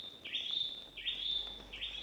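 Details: Wild birdsong inside an enclosed gorge at Tutulari Avatar Gorge, Pampanga, Philippines, where the calls echo: three high, clear whistled notes, each opening with a quick rising slur and then holding a long, steady tone, spaced under a second apart.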